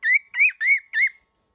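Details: Angry young cockatiel uttering four loud whistled calls, each rising then dropping slightly, evenly spaced about a third of a second apart, then silence.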